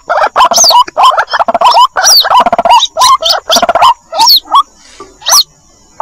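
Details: White-breasted waterhen chicks calling their mother on a lure recording: dense bursts of harsh, rattling notes with upslurred squeaks, then high descending whistles, thinning out toward the end.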